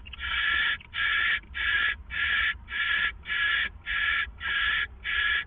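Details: Two owls at the Hideout before dawn, 4:49 AM, April 27, 2014. Loud, rapid hissing screeches, nine in quick regular succession, nearly continuous with short gaps, over slight background hum.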